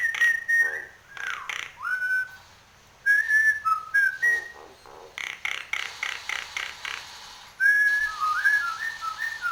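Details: Nias hill myna in full song, head bobbing: bursts of harsh, rasping pulses trade with bright whistled phrases of held and slurred notes, the pattern repeating several times.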